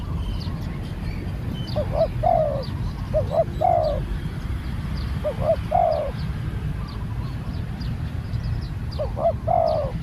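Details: A new spotted dove out for training delivers four spaced coo phrases, short paired notes then a drawn-out sliding coo, separated by pauses, while low steady noise and faint high twittering of other birds continue.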